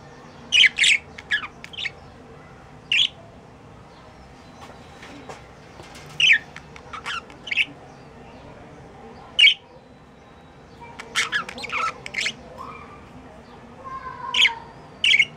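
Budgerigars give sharp, scratchy chirps and squawks in quick clustered bursts.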